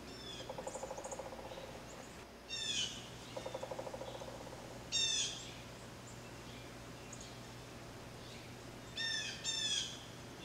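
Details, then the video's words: Wild blue jay giving a low, quickly pulsed rattle twice, then several loud, harsh, downward-sweeping calls with rich overtones, spaced a few seconds apart against a faint, steady background hum. "3 Blue Jay"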